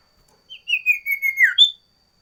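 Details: Sooty-headed bulbul singing an energetic song variation: a soft opening note, then a flowing series of whistles sliding downward, ending with one higher, bright note.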